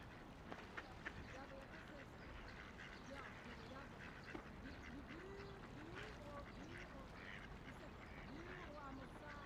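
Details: Ducks quacking as they float, splash and play along a quiet river; a loose series of low, nasal, arched calls comes every second or so over a steady rushing river flow, with faint splashes.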